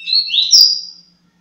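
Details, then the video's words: Coleiro, the double-collared seedeater, delivering a single loud tui tui zero zero phrase: two rising whistled notes that run into a bright, piercing slurred whistle and fade away within a second, over a faint low hum. "TUI TUI ZERO ZERO"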